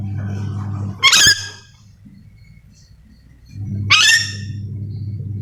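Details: Calling yellow-and-green lorikeet, a parrot endemic to Sulawesi: two loud grating shrieks roughly three seconds apart, with a low mechanical hum that fades and returns between them.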